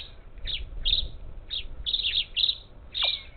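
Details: Up to ten parakeets at a feeder on the outskirts of Houston, Texas, Gulf Coast, July 2021, chatter with rough squawks, several run together, plus one call that dips sharply downward near the end.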